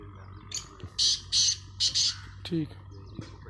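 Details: Black francolin calling: a run of loud, harsh, buzzy bursts, each about a quarter second long, spaced roughly every half second. Fainter chirps, a low steady hum and background noise are also heard.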